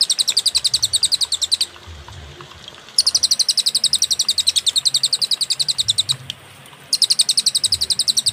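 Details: Cililin song used as a master recording for training songbirds, clear and with pauses: fast trains of high, sharp chips, about eight per second, in three bursts separated by short silences, over a faint low hum.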